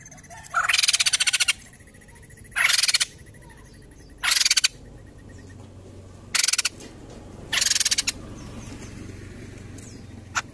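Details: White-crested laughingthrush (poksay jambul) giving a steady ngetem-style chatter meant as a lure to get birds singing: five harsh, rapidly pulsed bursts, each about half a second to a second long, separated by short pauses, over a low steady hum.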